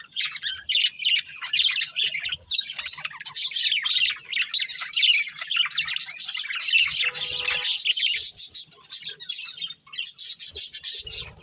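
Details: Budgerigars of a breeding pair warble in long, nearly unbroken runs of high, raspy chirps and chatter, with one brief pause near the end.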